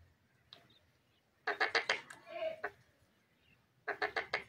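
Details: Pet Pakistani ringneck parrot chattering in its talking display: rapid bursts of harsh, clipped syllables, four or five in quick succession, then a short drawn note, a pause, and another fast burst.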